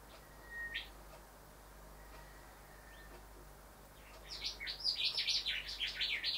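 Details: A male Rufous Whistler, visiting house windows to look at his own reflection, sings: after quiet with a few faint whip notes comes a loud burst of rich, quickly varied whistled and warbled phrases, rising and falling.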